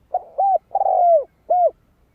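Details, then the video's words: Spotted dove cooing, used to stimulate and lure birds: a low mellow phrase of a short coo, an arched coo, a long drawn coo sliding downward, then a single clear closing coo, in a quiet setting. "Tiếng chim cu gáy kích mồi cực sung - Bổi nhanh về cội."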